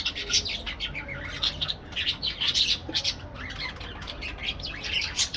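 A crowd of parakeets chatters nonstop, a dense tangle of shrill, overlapping squawks and chirps with no pauses.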